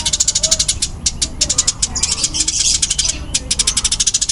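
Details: Fast, dense calling of a fighting-type Eurasian tree sparrow: rapid sharp high chirps, about six per second, with a short rougher burst midway and a brief gap before the final run.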